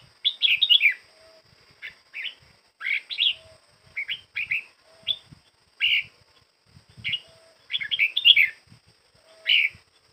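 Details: Practising red-whiskered bulbul near the end of its moult sings clipped, chattering whistled phrases, each under a second, spaced by short silences, with a faint constant high-pitched hum behind.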